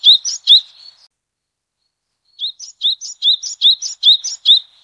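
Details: Yellow-bellied tit, a species endemic to southeastern China, gives a couple of crisp, high chirps, falls silent, then resumes with a fast run of about eight rising two-part notes.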